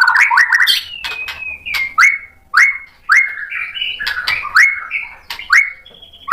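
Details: White-rumped shama song used to provoke rival shamas: opening chatter followed by a string of rising whistled notes repeated roughly every half second, interspersed with sharp clicks.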